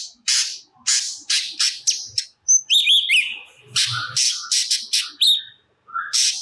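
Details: A cucak cungkok sings energetically, spilling out stored phrases, intended as master audio for songbirds: loud harsh buzzy bursts in an irregular series, broken by a bright rising whistled phrase, with short pauses between notes.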